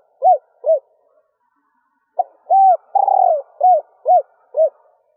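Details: Female spotted dove giving a stuttering coo to excite males. Two soft arched hoots, a pause, then a short note, a hoot, a long pulsing downslurred coo and three mellow ending hoots, all on one low pitch band.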